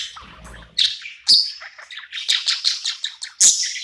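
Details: A budgerigar in a new home at night, happy, warbles a busy run of high chirps and chattering notes, with sharp bright accents at intervals and a faint low rumble at the very start.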